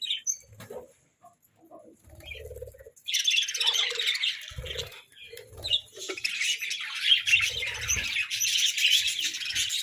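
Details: Budgerigars squabbling over food; scattered single chirps and soft squeaks at first, then from three seconds a dense loud chorus of chattering and warbling, with occasional low knocks.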